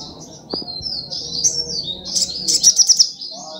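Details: Brown-throated sunbird giving soft high slurred whistles, then a short burst of quick sharp chips, over low steady background noise.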